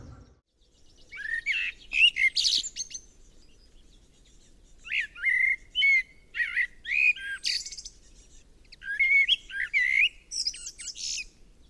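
A common blackbird sings rich, clear fluted warbles, each phrase ending in a thin, squeaky twitter, with short pauses between phrases.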